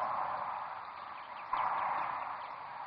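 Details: Sandhill cranes at Rowe Sanctuary on the Platte River in Nebraska, a dense, continuous murmur of many overlapping rolling calls, swelling louder at about halfway, with no other clear sounds.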